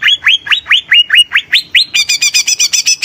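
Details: Energetic song of a greater green leafbird (cucak ijo), used to prompt other birds: a steady series of upslurred whistles rising step by step, then a fast rattling run of high clipped notes, loud and clean.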